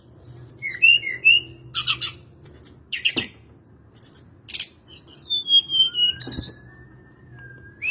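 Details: Hill blue flycatcher, or tledekan gunung, sings short high trills and chips, then a long descending whistle that flattens into a lower sustained tone.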